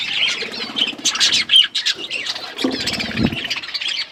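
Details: Budgies feeding, with a continuous warbling chatter and scratchy squawks, a clear whistled note, then a few low knocking sounds near the end.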